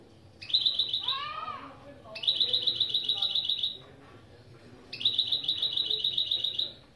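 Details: Three high, evenly pulsed trills from a goldfinch-canary mule, each lasting about a second and a half. Between the first two come some lower, slurred descending notes. Part of an opening-phrase lesson.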